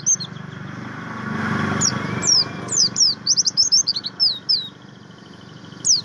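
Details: Javan grey-throated white-eye, kept bird, singing materi song: after a low rumbling background, a lively series of high descending chirps in quick succession, ending with a single sharp note.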